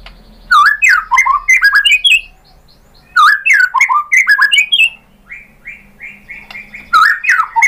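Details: White-rumped shama singing a lure song meant to make other shamas answer, full of mimicked material: bursts of varied whistled and chattering phrases that swoop up and down, with a pause near three seconds and a quieter series of level notes after five seconds.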